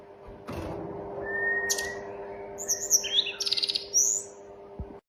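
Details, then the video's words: Mountain tledekan, or Snowy-browed Flycatcher: a long, even whistle is followed by a jumble of high sweeping and trilled notes with a rapid rattling run. Handling knocks and a steady low hum are also heard. "Tledekan gunung mantab gacor"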